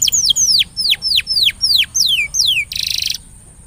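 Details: Canary singing to stimulate a quiet canary: a series of loud high whistles, each sweeping downward, roughly three per second, ending in a short buzzy rattle.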